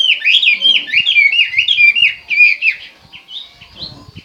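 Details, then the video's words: Chinese hwamei singing a quick, lively chain of curling whistled notes for about three seconds, then trailing off into softer, sparser whistles. "hmoob chim hoa mi hot"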